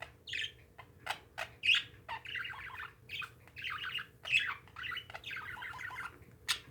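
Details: Pet parakeets chatter in bursts of scratchy, warbling chirps, with sharp clicks between phrases and a low indoor hum beneath.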